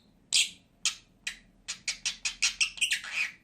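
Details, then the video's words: Two pet lovebirds: a loud series of sharp, shrill chirps, spaced at first and then coming faster in a rapid run, ending in a harsher squawk. "CİCİKUŞ SESİ----Cennet Papağanı"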